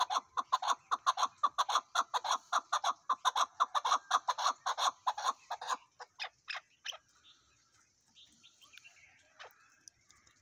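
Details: Chukar partridge giving a rapid series of loud, clucking chuk notes, about two per second for six seconds, then a few spaced notes fading out before quiet.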